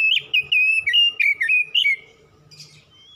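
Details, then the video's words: Oriental magpie-robin kept as a house bird, a lure recording meant to set other magpie-robins singing, for use morning, noon and night: a two-second run of rich, loud whistled notes that dip and rise, then fading to quiet hiss. "PANCINGAN CEPAT PAGI SIANG MALAM KACER RUMAHAN CEPAT GACOR"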